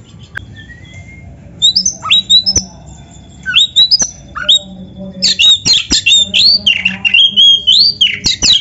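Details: Oriental magpie-robin singing as a training recording for kept birds. Sparse scattered chirps and whistles at first with faint clicks, building into a dense burst of rapid varied notes and slurred whistles.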